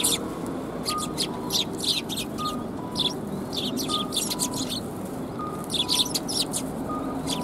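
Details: A group of sparrows, recorded on 9 December 2021 at a Tenmangu shrine, chatter in irregular runs of bright, clipped chirps, with a soft two-tone beep sounding every second or so behind them.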